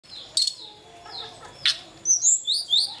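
A small flycatcher gives high, thin chirps and quick whistled slurs, about two a second, mixed with a couple of sharp clicking notes.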